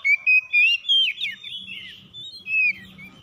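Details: Oriental magpie-robin (kacer) in morning answering song, quick run of clear whistled notes sliding into a warbled, scratchy phrase, with a faint low hum beneath.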